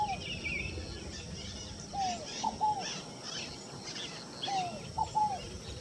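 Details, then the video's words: Scaled dove gives low, hollow three-note phrases, a drawn-out falling coo then two quick notes, repeated about every two and a half seconds, over faint chirping of other birds. "O canto da rolinha fogo apagou"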